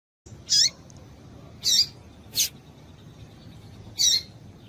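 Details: Female double-collared seedeater calling to excite males, as used by breeders who keep birds for singing tournaments; four short, high chirped notes spaced about one to one and a half seconds apart over low, steady background hiss.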